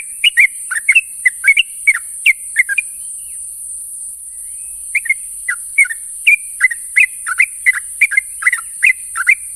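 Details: Morning companion calls of trucuk bulbuls: rapid bubbly chirps for three seconds, a pause of about two seconds, then renewed quick whistled notes, with steady high hiss in the background.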